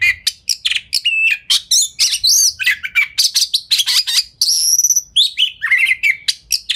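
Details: Lure song of an Oriental magpie-robin, meant to provoke other birds into replying: a fast, dense stream of varied chirps, rattling notes and bright whistles, almost without pause and very loud.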